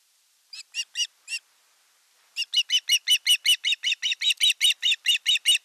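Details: Ospreys at a Finnish nest in Satakunta during a fish delivery as the elder chick attacks the younger: a few high whistled notes, then a rapid steady run of repeated sharp piping calls, about two to three per second.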